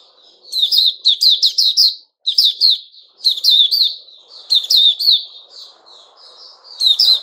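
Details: White-rumped shama, 29 August 2021: a fast, energetic run of loud, scratchy high chirps in clustered bursts, with short soft whistled notes between them and a faint low background murmur.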